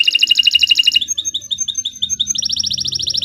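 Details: Canary song used as a master recording for training other birds: rapid trilled rolls of high whistled notes, a slower series of sliding chirps, then another fast trill, with faint low hum beneath.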